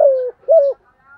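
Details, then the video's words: Spotted dove coo meant to lure wild doves: two low, hollow notes, the first longer and gently falling, the second short and arched. "THÚC GÙ, GÁY GỌI. kích bổi rất nhanh nổi"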